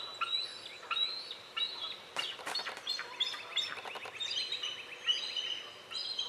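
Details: Female bald eagle at her nest on 14 April 2018 calling in distress as a strange mature bald eagle circles the nest tree, before she drops into the nest to guard her chicks; thin, high squeaky chirps repeated over rustling, rattling noise.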